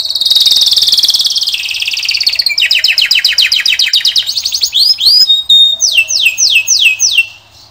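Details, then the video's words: Male singing canary delivering a loud, continuous song: a rapid buzzy trill that slides downward, then quick repeated rising chips, swooping notes and a run of falling whistled slurs near the end. "Пение канарейки . Певчий кенар."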